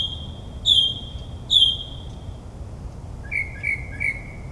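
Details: Mockingbird performing at midnight in suburban New Jersey, copying other birds: two loud clear whistled notes about a second apart, then a quick series of three softer rising chirps.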